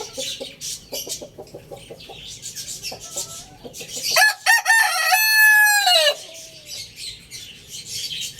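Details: Quick soft clucks and clicks lead into a two-second rooster crow, loud and harmonic with a held middle and a falling close, then quieter background sounds return.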